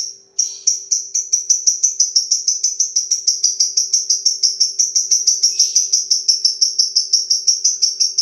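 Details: Lovebird performing long 'ngetik' (typing) chatter, an unbroken string of some forty rapid, evenly paced, piercing high ticks lasting over eight seconds, with a faint steady hum underneath.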